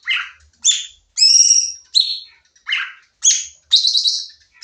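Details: Sooty-headed bulbul song from a training recording, lively and shooting: short chirpy phrases roughly every half second, mixing clear whistled notes, a sustained overtone-rich trill, and a buzzy ending burst.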